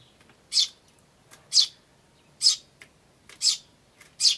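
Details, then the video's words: Tree sparrow chicks and adult sparrows calling in various ways, May 2013: five clear high chirps about a second apart, with small ticking notes between them. "スズメと雛の鳴き声(5) Sound of Tree Sparrows and chicks (5)"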